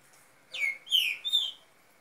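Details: Green-winged Saltator youngsters of seven months singing face to face: three quick, loud, slurred whistles, the first falling, the second swelling and dropping, the last short and bright, in a quiet setting.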